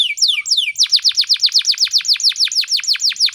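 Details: Canary song recorded in the morning as training material for other canaries: two or three falling whistles followed by an even series of about twenty sharp descending notes, roughly six per second.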